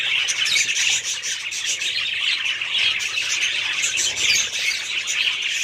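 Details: A group of budgerigars kept as a family flock, giving continuous overlapping chirps, squawks and warbling chatter, dense and unbroken for the whole stretch, with brief louder bursts and no other sounds standing out.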